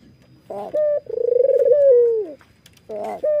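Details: Barbary dove, white with red eyes, calling as it nods: a short note, then a long rapidly pulsed coo that rises slightly and falls away, followed by another brief note.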